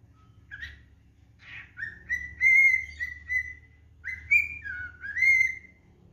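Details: Pet cockatiel singing at home: a string of clear whistled phrases, mostly level with small rises and falls, in two bursts, with a person's voice talking just before.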